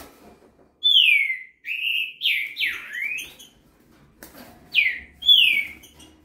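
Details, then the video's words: Young green-winged saltator of the fast 'velocista' song style, said to manage 21 phrases a minute: a rich run of connected whistled slurs rising and falling, a short pause with a click, then two more loud downslurred whistles. "Filhote de trinca ferro velocista ! passa 21 por minuto"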